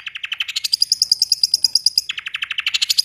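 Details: Rolling cendet (long-tailed shrike) song: quick lower chattering notes, then a run of very high pure repeated whistles, then back to lower rapid chatter, about eight notes per second.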